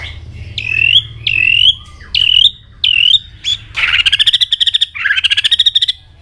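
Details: Shama at peak singing form, flicking its tail constantly: several loud rising-and-curling whistles in quick order, then a dense, rapid trill of bright pulsed notes split into two fast bursts.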